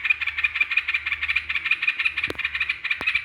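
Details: Yellow-vented bulbul (trucukan) song used as a lure to provoke rival birds: a dense, bubbly run of mid-pitched chattering notes, about three per second, with a couple of sharp clicks near the end.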